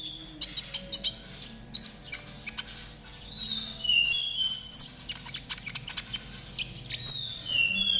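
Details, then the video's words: Konin trotol song used to coax caged birds into singing: thin high chirps and rapid ticks, mixed with short downslurred whistles, growing denser in the second half. "TERAPI KONIN TROTOL AGAR CEPAT BUNYI || MASTERAN KONIN TROTOL GACOR"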